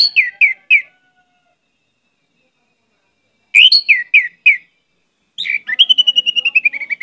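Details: Orange-headed thrush in varied song, repeating short runs of three or four sharp whistled notes after pauses, then a rapid trill of clipped notes that falls slightly in pitch.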